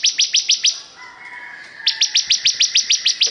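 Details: Bar-winged prinia, said to be extremely vocal, repeating sharp, high clipped notes at a brisk, regular rhythm, a short run followed by a pause and then a longer series of about ten notes.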